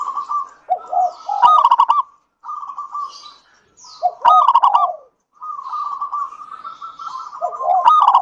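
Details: Zebra dove, local type, singing as a lure for other doves: three phrases, each of even trilled cooing, low falling coos and a sharp clipped stutter of notes, separated by brief pauses.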